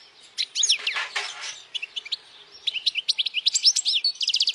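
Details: European goldfinch singing loudly so young goldfinches can memorize the song and females are attracted: a rapid, jumbled twitter of bright chirps, a buzzy note, and rolling trilled phrases.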